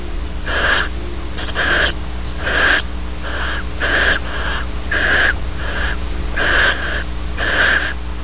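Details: At Audubon Starr Ranch, California, a male barn owl preens the female after mating; rasping hissed bursts repeat roughly every half second to second over a steady low hum.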